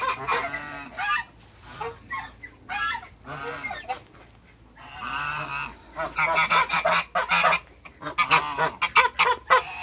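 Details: Two male and one female African geese in a backyard with other waterbirds, giving loud harsh nasal honks in bursts, several in quick overlapping series toward the end.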